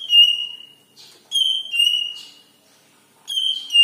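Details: Cucak ijo leafbird with a yellow head, recorded as a lure for other birds: long steady whistles, some sliding down slightly, separated by brief soft rasps and short pauses.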